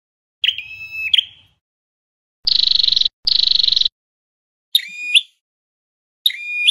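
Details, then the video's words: Loudspeaker lure song of a red-headed flowerpecker for trapping. It has a whistled note with rising ends, two quick buzzy pulsed trills in close succession, then two more short whistled notes that sweep upward, with clean silence between. "Giọng Chuẩn Bẫy Loa Chim Sâu Đầu Đỏ"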